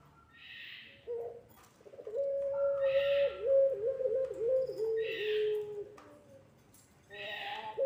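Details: Lure call of a puter pelung Barbary dove for training young doves, a wavering series of hooting coos sliding gently lower, with short raspy bursts recurring about every one and a half seconds.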